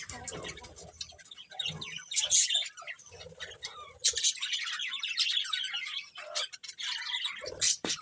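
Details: Colourful budgies chirp and chatter in fluctuating twittery phrases, with sharp clicks and some low rustling noise underneath.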